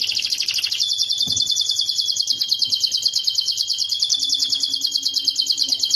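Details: Canary song for lovebird tutoring: one long, very fast rolling trill, bright and even, running unbroken through the whole stretch with slight pitch drops, faint low background noise.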